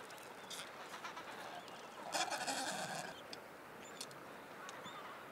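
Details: Adelie penguins on the Yalour Islands, returning clean from a fishing trip and crossing snow toward their colony on exposed rocks; a loud harsh honking burst midway over steady wind-like hiss, with faint scattered chirps.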